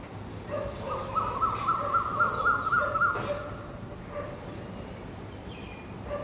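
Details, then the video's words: Morning call of an Asian koel sitting in a park tree: a quick, even string of bright notes lasting about two seconds, then quieter scattered notes, with steady low background noise. "कोयल की आवाज़ ||Cuckoo sound"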